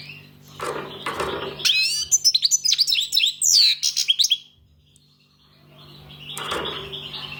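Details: Rustling noise frames a European goldfinch's two-second outburst of rapid, high, silvery twitters and slurred whistles, all over a constant low hum.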